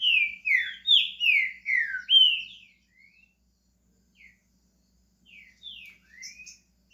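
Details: Green-winged saltator in Brazil starting to sing: six loud, rich downslurred whistles delivered in quick succession, then a pause and a few softer rising and falling notes.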